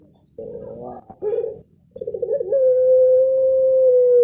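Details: Champion puter pelung ringneck dove with a thick-ended melung voice: a few pulsed, rolling coo notes, a pause, then more stuttering notes that lead into a long, even, sustained coo.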